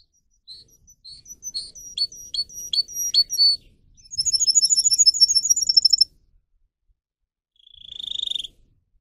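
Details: Pet canary singing a training song: short sharp chirps repeated in a series, then a fast dense buzzy trill for two seconds, a pause, and a lower rolling trill at the end.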